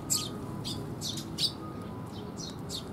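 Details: Eurasian tree sparrow fledglings being fed by their parents, recorded 6 May 2021: a few sharp, high chirps come in irregular bursts over a soft background hum.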